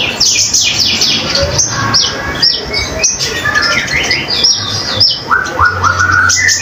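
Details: Common iora in vigorous, continuous song: a dense run of high, quick chirps and sweeping notes, then a series of rising whistled slurs near the end, over a low background hum.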